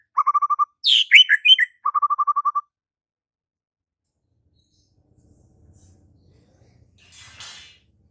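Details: Song of a white-rumped shama: two runs of rapid, even repeated notes framing a high, swooping whistled flourish, then near silence with a faint low rumble and a brief soft hiss.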